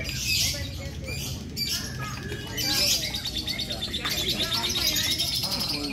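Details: Lovebird competing in a lovebird fighter singing session at a national gathering at Borobudur. Shrill, rapid chirping trills run in high bursts over a noisy crowd of voices and other birds.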